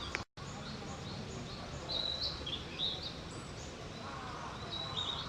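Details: A male Narcissus flycatcher sings in late April 2012, giving a few short, high, warbled whistle phrases a second or so apart, partly masked by a steady rushing background noise.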